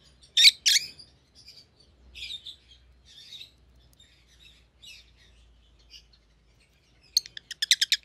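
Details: Pet rosy-faced lovebirds of white-headed pallid and green opaline colour types give two loud sharp chirps, then quieter warbling twitters, ending in a quick rapid series of about eight harsh clicking chirps.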